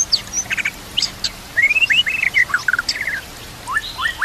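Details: Training song of a white-rumped shama mixed with canary-type fill phrases over trickling water and nature sounds: bursts of short sharp chirps, then a run of rapid clipped whistles, and rising upslurred notes at the end.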